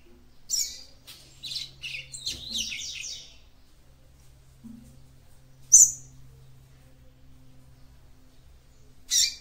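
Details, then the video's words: Female capped seedeater (papa-capim) song to stimulate the male: an opening run of buzzy twittering notes, a pause, then two lone sharp high chips. "CANTO DE FÊMEA PAPA CAPIM PARA ESQUENTAR SEU MACHO"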